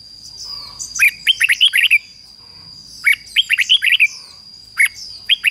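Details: Red-whiskered bulbul decoy singing to lure wild rivals: three lively bursts of clear, slurred, chirpy whistles, each five to seven notes, with faint higher twittering between them and a steady high tone behind.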